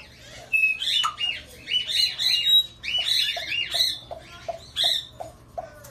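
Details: African grey parrot giving a busy run of sharp, arched chirping calls, each rising and falling quickly, mixed with short lower clucks that repeat about twice a second; faint hum underneath.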